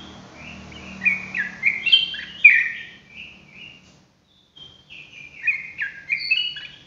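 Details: Sooty-headed bulbul singing energetically, ropelan style, two runs of liquid whistled notes stepping up and down, separated by about a second of silence; low hum under the opening.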